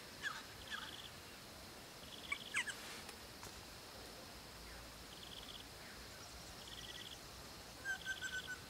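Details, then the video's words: A pair of crimson rosellas living on a property call their young with scattered short, clear whistled notes and a few sharp chattery bursts, spaced a second or two apart over a steady background hiss. "Crimson Rosellas calling their young ones"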